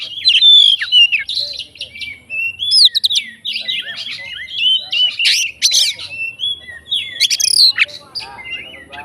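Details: Oriental magpie-robin, a fighting bird, singing to provoke other magpie-robins: a loud, varied stream of high whistles, sharp chips and buzzy rattles, with rising and falling notes and mimicked phrases, continuous throughout.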